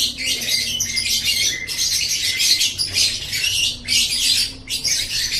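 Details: Lovebird song for tutoring pet birds: nearly nonstop harsh, high twittering and squeaks, dipping briefly every second or so, with a faint low hum.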